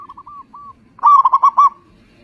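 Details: Zebra dove of local stock, kept as a loud lure to make other doves sing: a few soft introductory coos, then one burst of six rapid, pulsing, resonant notes.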